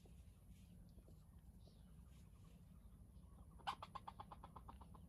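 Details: Captive red junglefowl used as a calling decoy in a trap for wild junglefowl bursts into loud, rapid clucking after a low rumbling background, about six or seven sharp notes a second, fading over the last second.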